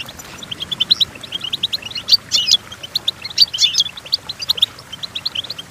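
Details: Goldfinch singing, meant as a model for training goldfinches: rapid runs of high clipped chirps broken by brief louder buzzy, tinkling bursts near the middle, in a quiet background.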